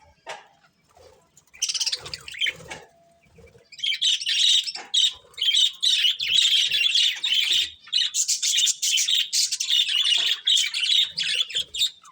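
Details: Budgerigars warbling: a few soft chirps, then continuous fast, scratchy, high chattering in rapid pulses that runs to the end.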